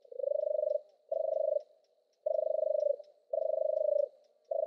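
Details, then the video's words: European turtle dove giving its deep purring song: five rolling, finely pulsed notes of level pitch, spaced about a second apart, with a quiet background. "Suara burung merpati kura-kura, european turtle dove bird"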